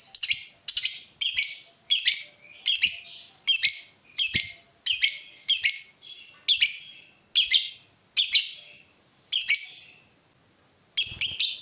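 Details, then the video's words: Lovebird sound played to coax other lovebirds into song: a rapid series of harsh, squeaky high chirps, roughly two per second, briefly pausing near the end before resuming. "Berkat Pancingan SUARA BURUNG LOVEBIRD INI, Labetmu dijamin GACOR tak lagi Malas DIAM MEMBISU"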